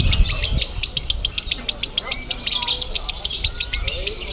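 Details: A lovebird at a Bandung singing contest sings in konslet style, with quick shrill chirps repeated in rapid succession and scattered human voices underneath.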